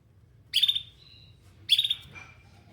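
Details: Canary searching for other canaries, giving two rich, slightly buzzy chirps a second apart, each trailing into a thin fading whistle.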